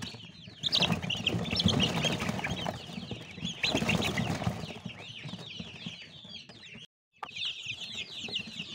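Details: Baby chicks peep in a dense, overlapping chorus of short, high, downward-slurred notes. Bursts of broadband rustling and scratching run through it, with a brief gap near the end.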